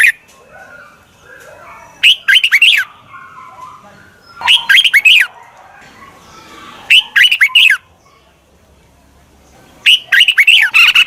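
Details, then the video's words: Lure call of a red-whiskered bulbul meant to bring wild bulbuls in fast: four brisk phrases of three to four sharp, down-slurred chirping notes, spaced roughly two and a half seconds apart over a quiet background. "Tiếng chào mào mòi chuẩn gọi chim bỗ nhanh về"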